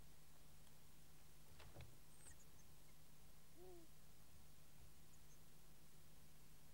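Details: Long-eared owl at the nest, Kielder, Northumberland, recorded by a nest-side microphone: a rustling knock, then a single short, low, gently arched hoot, over a constant low hum.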